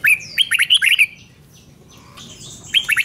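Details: Red-whiskered bulbul in doubled song for young birds to pick up: a fast run of loud, bright, bouncing whistled notes, a brief pause with thin high sounds, then the run starts again.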